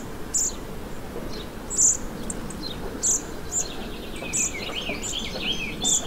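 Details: Fledged song thrush being fed in a Morbihan garden, Brittany, 27 June 2023: sharp, high-pitched chips at irregular intervals, while another bird warbles a lower twittering phrase in the second half, with constant background hiss.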